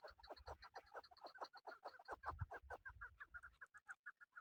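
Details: Rapid, steady chain of clipped chuck notes from a male chukar partridge used in hunting, roughly two per second, loud and continuous before thinning out toward the end, with some low background rumble.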